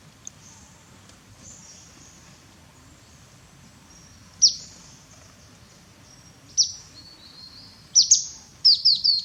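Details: Grey-headed canary-flycatcher in Cambodia, calling while taking a bath. After a quiet stretch of low rushing noise, sharp high chips sound at intervals, then a quick run of four or five bright notes at the end.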